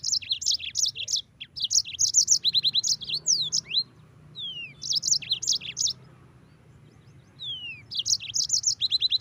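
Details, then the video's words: Yellow-fronted canary delivering bursts of rapid high chirps and trills separated by pauses, with slurred falling whistles in between; a quiet gap mid-phrase before the chattering song resumes, low hum throughout. "Masteran Mozambik Gacor"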